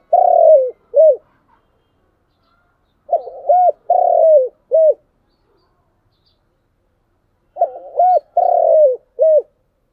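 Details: Spotted dove cooing in the chiêu and thúc styles: three low, mellow phrases spaced about three to four seconds apart. Each has short upturned coos, a longer drawn-out falling coo and a final hooked note, with no other sounds.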